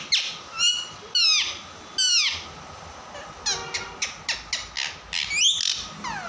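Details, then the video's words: Pet parrot, or tota, playful and noisy, giving repeated harsh descending squawks, then a rapid run of short clipped calls in the second half, with a faint steady background hum. "Mitthu tota ki awaaze | Funny parrot talking video"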